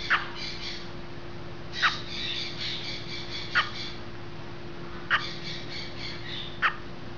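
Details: A great green macaw during a hatching gives five short, harsh squawks spaced about a second and a half apart, over a steady mechanical hum.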